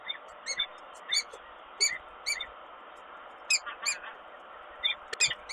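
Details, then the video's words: Female peregrine falcon at the Kawęczyn nest on 21 April 2022, refusing the nest changeover. Short harmonic calls come in irregular bursts, about a dozen notes in under six seconds, over a steady background hiss. "Sokół Kawęczyn Samica odmawia zmiany"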